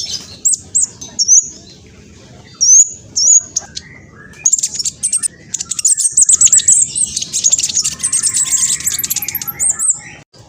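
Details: Spotted black sunbird, noted as noisy and fast: clear high whistled slurs at first, then a dense stream of rapid, thin twittering.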